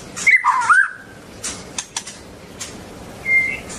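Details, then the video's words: White-rumped shama described as dancing and singing gives a short, looping whistled phrase, then scattered sharp clicks and one brief high whistle near the end. "White-rumped shama(Copsychus malabaricus): Beautiful Birds,Dancing And Singing Chirping Sounds Great"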